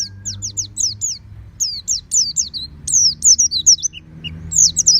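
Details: Caged oriental white-eye, kept at home, in 'ngeplong' song: bursts of rapid, high, downward-slurring whistles and chattering twitter, broken by short gaps and a couple of lower chips, over low hum.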